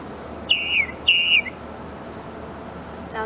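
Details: Tufted Titmouse song, one of two versions of its "peter peter peter" song: two clear, high whistled phrases, each sliding slightly downward, about half a second apart, over a faint steady hiss.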